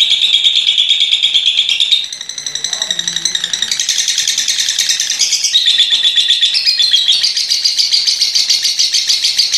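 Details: Lovebird delivering its long ngekek chatter of nearly one minute, steady harsh high chirping with a slight dip in loudness midway before the rapid stream resumes.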